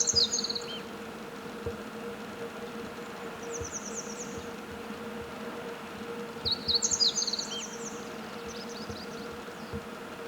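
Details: Singing meadow bunting: a high twittering phrase at the start and a fuller rapid phrase about six seconds later. Fainter high trills from another bird sound in between, and a steady low hum persists throughout.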